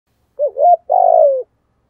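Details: Spotted dove giving a full call in the deep 'thổ' voice style, used as a lure for wild doves: a short looping double note, a brief pause, then a long buzzy, gently falling coo. The background is silent.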